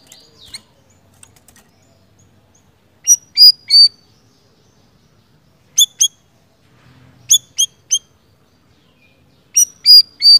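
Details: A siri-siri bird gives sharp, high chirps in quick bursts of two or three notes, repeated every couple of seconds against a quiet background.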